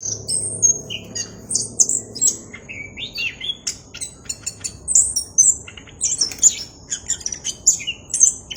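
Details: Orange-headed thrush singing vigorously with a clear voice, a dense stream of high, varied whistled and chirping phrases that jump between pitches with barely a pause, over a faint low background hiss.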